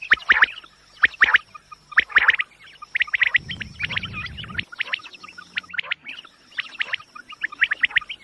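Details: Repeated quail chirps for luring birds when hunting, crisp paired notes at about one-second intervals, with a burst of low rumbling noise in the middle and a faint steady high tone.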